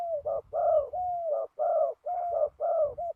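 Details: Ground decoy trapping of a spotted dove in high wind; rich, mid-pitched coos come in close pairs, with slurred, slightly falling notes linking them, and soft low wind rumble beneath.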